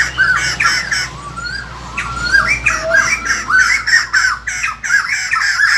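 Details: A white-crested laughingthrush, khướu đầu bạc in Vietnamese, singing in the morning: rapid, repeated, harsh, rollicking notes with short sweeping whistles mixed in, over a steady low hum.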